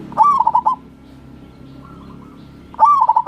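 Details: Crossing-type local wild zebra dove singing as a lure for lazy birds: two bright phrases, each a rising coo trailing into a fast trill of bubbling notes, separated by a quiet gap.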